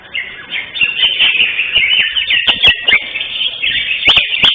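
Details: Competition-winning caged greater green leafbird, 11 October 2025 contest, pouring out a dense run of high slurred whistles and chirps, punctuated by loud sharp clicks.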